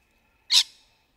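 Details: Rainbow lorikeet in trees during courtship, a single short harsh screech, loud and broadband, cutting off quickly into silence.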